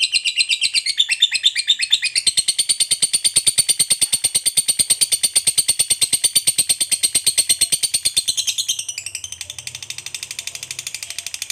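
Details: A fighter lovebird keeps up a very long ngekek trill, the chatter used to provoke rival lovebirds, a rapid high pulsing about three beats a second held for over eight seconds before breaking into finer buzzy rattling.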